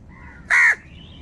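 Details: Crow giving one loud, harsh, raspy caw of about a quarter second, rough and broad in tone, over a quiet background with faint thin bird calls before and after.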